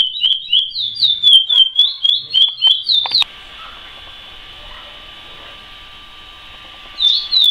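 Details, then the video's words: Curió (chestnut-bellied seed finch) in praia song style: a rapid phrase of clear whistled, swooping notes for about three seconds, a pause with a faint steady hum, then the whistled notes return at the end. "CURIÓ PRAIA CANTADOR"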